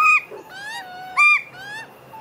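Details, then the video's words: A magpie family, adults and young, feeding after the adults grew annoyed with the young in a squabble: two loud, nasal, rich-toned squawks about a second apart, with softer, downward-sliding whining notes between. "Magpie family eat after fight making funny sounds"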